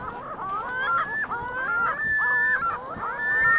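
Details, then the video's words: Gulls calling on a parking lot in Michigan City, several birds giving long, loud, wavering, nasal wailing cries that overlap almost continuously. "Vienna Gulls Choir sings"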